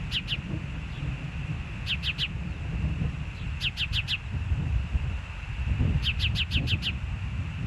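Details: Ospreys calling at the Hellgate nest on a live camera, 06/04/2024 at 13:10: runs of bright whistled chirps, two, three, four and finally six in fast succession, over low steady noise.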